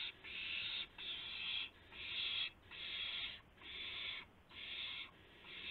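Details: Owl heard at 12:25 AM on April 7, 2016, around a gopher delivery with flap and pounce: steady series of rough hissing screeches, each roughly 0.7 seconds long, spaced by brief pauses.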